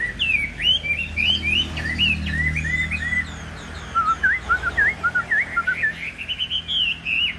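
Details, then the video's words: Caged Chinese hwamei with a fanned tail singing a lively, varied song of slurred whistles, falling then rising phrases and quick repeated upslurred notes, loud and continuous over faint low rumble. "Họat Họa Mi"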